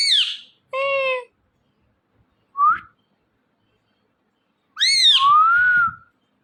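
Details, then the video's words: Indian ringneck parrot making a few loud, clean calls: a rich nasal squawk, a short rising chirp, then a long whistle that drops and levels off, with quiet gaps between them. "Ringneck Parrot Chirping And Making Natural Sounds"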